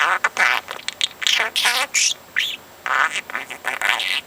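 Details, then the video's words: Talking pet parrot, four months old, repeating words and snippets of conversation; choppy speech-like syllables with a looping whistled note, delivered in quick successive bursts. "Bird Puts Words Into Sentences on his own"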